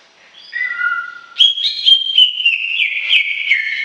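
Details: Greater green leafbird opening with gentle, lower sustained whistles, then bursting into a continuous, rapid warble of clear whistled notes that steps downward with sharp chips.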